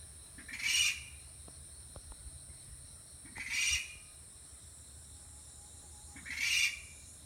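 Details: Okinawa rail calling in alarm, wary of a camera, heard very close by while staying hidden; harsh broad bursts about half a second long, repeated roughly every three seconds over a quiet background.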